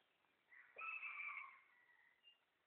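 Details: A junglefowl at dawn in the cool mountain country of Ban Bo Kaeo, Samoeng, Chiang Mai, gives a single hoarse, harmonic crow lasting over a second, rising then trailing off, over a faint background hiss.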